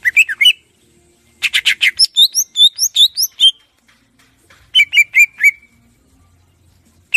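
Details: Greater green leafbird, clear varied tutor song: a few slurred chirps, a rapid run of sharp notes with high thin squeaks, a pause, then four or five quick descending whistles.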